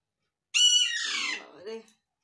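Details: Young Alexandrine parakeet, a baby, giving one drawn-out raspy call that starts high and bright and then slides down into a lower, rougher tail.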